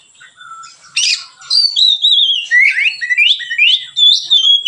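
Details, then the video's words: White-rumped shama singing relaxed, serving as a lure for other birds; a rough burst leads into a flowing series of loud whistled notes, swooping up and down in quick succession. "suara Kacer ngeplong santai, pancingan / masteran Kacer"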